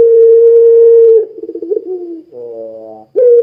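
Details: Barbary dove of the pelung type cooing vigorously to make other doves sing: a long, steady low hoot, a fluttering roll with a dip, a buzzy falling slur, and a short bright final hoot.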